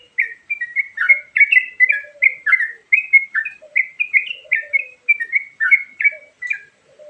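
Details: Sooty-headed bulbul in varied song, as used to attract birds: a dense, lively stream of warbled, slurred chirps. Faint low whistled notes sound underneath now and then.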